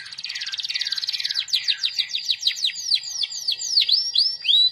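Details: Canary praised for its constant 'gacor' singing, 'goyang' and 'cengkok': a harsh, buzzy rattle gives way to a string of high swooping, downslurred whistles.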